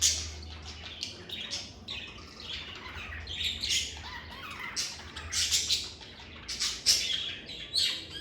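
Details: Lovebirds recorded in a calm environment give scattered harsh squawks and bright chirps, irregular and overlapping, some louder bursts toward the end, with a steady low hum underneath.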